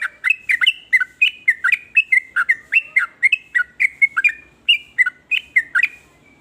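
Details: Yellow-vented bulbul singing varied calls that make other bulbuls envious and answer. Paired, liquid, whistled chirps rise and fall in a regular rhythm of about two to three per second.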